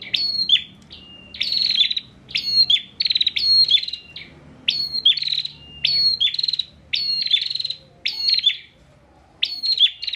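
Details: Bar-winged prinia, a kept bird from Pemalang, Central Java, singing persistently as a tutor for training other songbirds: repeated loud phrases of a buzzy rasp joined to an even whistled note, roughly every second.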